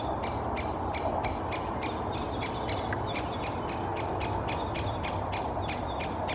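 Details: One of two Great spotted woodpeckers moving in a birch canopy in Helsinki, Finland, in May 2024, calls incessantly with sharp, high ticking notes, about four or five a second, over a steady low rumble of wind or distant traffic.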